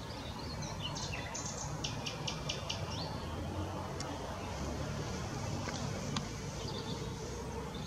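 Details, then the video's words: Mixed singing from a willow warbler at Whitlingham, 2 May 2017: a quick burst of sweet, high, slightly descending notes near the start, then sparse faint ticks over constant low rumbling noise. "Mixed singing Willow Warbler"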